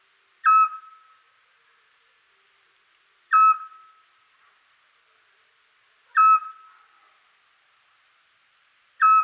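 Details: Eurasian scops owl (Otus scops) gives its repetitive territorial and mate-seeking advertising call on a quiet spring night in Europe: short, clear, mellow whistled notes, one about every three seconds, steady and monotonous against a quiet background.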